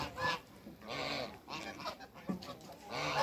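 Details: Hybrid Cayuga and Mallard duck in a backyard among other waterbirds, giving loud nasal honking quacks in short bursts, several overlapping calls over about three seconds.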